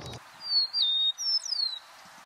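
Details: Eastern Meadowlark in open mixed habitat in Kitchener, Ontario, on April 21, 2023, gives a clear, slurred whistled song of two or three high notes sliding downward, preceded by a brief low thump.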